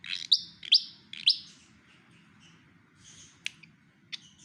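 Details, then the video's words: Javan pied fantail mimicking the song of a white-rumped shama: three squeaky, rising high whistles in quick succession, then softer faint notes and a few sharp clicks against a steady low hum. "burung sikatan kipas jawa menirukan kicau murai batu"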